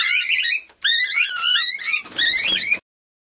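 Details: Young cockatiel in an aviary producing a nearly continuous run of raspy, modulated chattering calls for under three seconds, briefly broken once, then stopping abruptly into silence.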